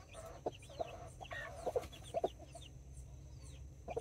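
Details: Two mother hens and nine chicks, mini and Brahma breeds, kept in a Colombian backyard, October 2024. Soft paired clucks come about twice a second, and high, downward-sliding chick cheeps fill the gaps over a low steady hum.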